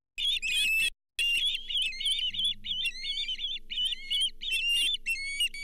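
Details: At a Charlo osprey nest during a fish delivery, a lake whitefish, on 31 July 2023, ospreys give continuous high whistled chirps with upslurred notes, briefly broken by a gap, above a faint mechanical hum.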